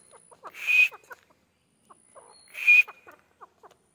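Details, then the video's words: Grey francolin being trained gives two loud, airy bursts with a high whistled line, set among soft, quick chirps and clucking notes. "Training Of Gray francolin"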